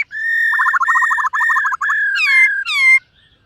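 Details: Black-throated laughingthrush singing and displaying during morning voice training: steady whistled notes, a rapid bubbling trill of short repeated notes, then rising and falling clear whistles ending abruptly.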